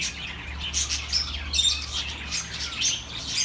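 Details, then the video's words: Relaxing chirping of birds, played to comfort lonely pet birds: high twittering notes and short squawks, with a steady low hum underneath. "The best relaxing birds sounds for your lonely birds"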